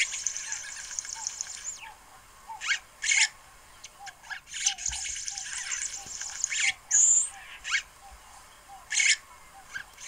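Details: Red-headed weaver building its nest, giving high, sizzling buzzy bursts every second or two, over a steady run of soft, quick ticking notes.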